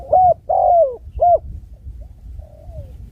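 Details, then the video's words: Spotted dove coos: three loud, mellow notes, the middle one long and falling, followed by fainter, more distant cooing and a soft descending note, with a low steady rumble behind. "Bunyi tekukur"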